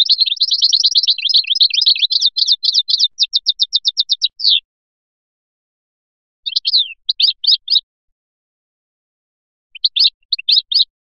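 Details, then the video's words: European goldfinch from Biskra, 'fliyachi' song style: rapid high twittering trills and evenly spaced repeated notes, followed after pauses by two short bursts of chirps. "تغريد مقنين بسكرة الفلياشي الرائع"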